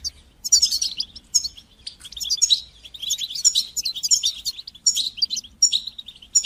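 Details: Goldfinch song for training young goldfinches to sing, a dense, fast run of bright twittering notes and buzzy trills, nearly continuous with brief pauses.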